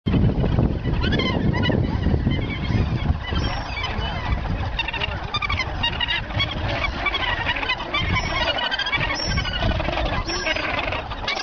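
Australasian gannets fill the air with a dense, harsh chorus of overlapping grating, honking calls over a steady low rumble of wind or surf.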